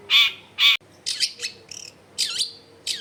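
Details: Long-tailed shrike singing, recorded with natural sound at a home in a densely populated area and used to prompt silent shrikes to sing: two loud harsh buzzy bursts, then high chirping and warbled twittering notes.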